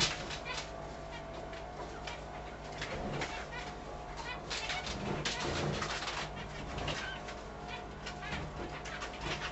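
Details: A zebra finch entering its nest with nest material gives tiny plaintive "whine" calls, soft and nasal in quick uneven succession, over rustling clicks and a steady low hum.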